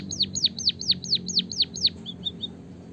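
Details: Canary-like song from a white-headed munia: about eight loud, high notes sweeping steeply downward in even rhythm, followed by three softer short chips.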